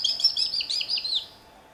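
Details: A domestic cockatiel from Dortmund-Huckarde, Germany, twittering a quick run of high, bright chirps and short warbled notes lasting just over one second, then falling silent.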